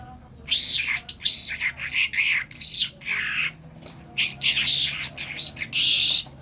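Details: Kerman talking myna gives continuous raspy, gurgling chatter in even pulses, with some notes rising and falling and a longer buzzy note near the end.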